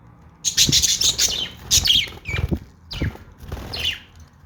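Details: Pet budgies chirp and squawk in scratchy bursts along with soft thumps and wing flutters, ending in a few falling chirps.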